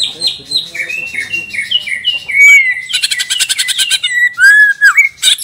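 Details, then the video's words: ['White-rumped shama of the Borneo type, a chatty singer with a rich fill of borrowed phrases. It gives a fast run of varied clear whistles, some falling and some rising, then a dense buzzy rattling burst, then looping whistled notes.'] "MURAI BATU BORNEO/MURAI GEMBUNG GACOR ISIAN MEWAH"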